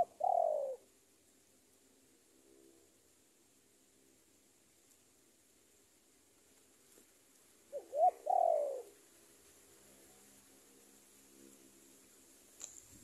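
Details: Lure call of a decoy spotted dove summoning a rival: one falling coo at the start, then after a long quiet gap a clipped double note leading into a drawn-out coo, over low background hiss.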